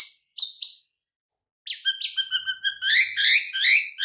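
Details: White-rumped shama master song used to prompt mute, listless birds to answer: three high whistled notes, a pause, then a quick chattering string of notes building into loud, rich rolling warbles.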